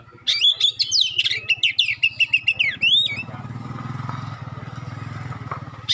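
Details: Magpie-robin song of sharp and clear notes meant to stir other magpie-robins into replying: three seconds of rapid, loud whistled strokes, then a motorcycle engine drones beneath faint bird sounds.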